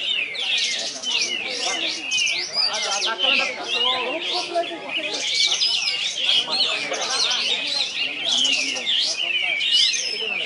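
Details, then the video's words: Contest-winning white-eye at a songbird competition in Ketapang, Krotosari, delivers continuous high, rapid twittering song of sweeping whistled slurs and trills, with lower chatter and people talking in the background. "Kapas Tembak"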